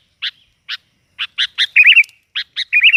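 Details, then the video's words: Sooty-headed bulbul (kutilang) lure call in lively gacor style: spaced sharp chirps, about two per second, quickening into pairs and then a wavering, slurred whistled phrase, repeated at the end. "Suara pikat burung kutilang || kutilang gacor || kutilang ribut"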